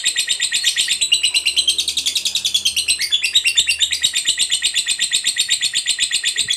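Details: Ngekek song from a fighter lovebird, used as a lure so other lovebirds start chattering; fast, continuous buzzy trill of high pulsed notes about two per second, pitch stepping upward around the third second.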